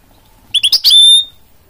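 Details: Goldfinch mule, a cross between goldfinch and canary, gives a short phrase: three quick chipped notes ending in a long, clear, level high whistle.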